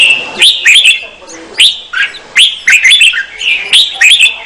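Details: Female red-whiskered bulbul singing to excite the male: a series of sharp, upslurred whistled notes, each rising quickly then dropping, repeated roughly every half second, over a faint steady background tone.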